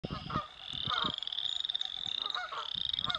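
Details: Noisy Canada Geese on the Carden Alvar in spring give several harsh, short honks over a continuous high, trilling frog chorus.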